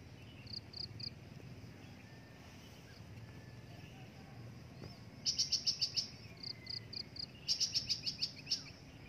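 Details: Breeding adult drongo uttering high, sharp repeated chips, first in small spaced groups, then two loud rapid rattling series around the middle and end, with a faint low background drone.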